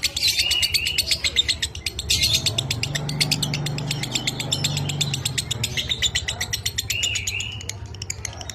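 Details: Lovebird minor kering song used as training material for pet birds: fast chattering chirps in steady bursts, occasional short rising whistles, over a faint low hum.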